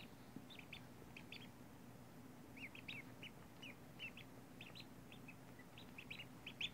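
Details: Newly hatched ducklings, one day old, including three yellow and grey young from a Magpie duck and a Cayuga/Rouen mixed drake; soft high peeps come in short irregular clusters over a steady low hum.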